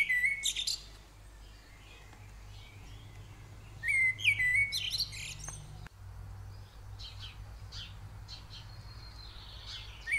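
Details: Eurasian blue tit feeding at the nest in a pottery head; short bursts of high wavering squeaks at the start and around the middle, a click, then softer scattered chirps and hum.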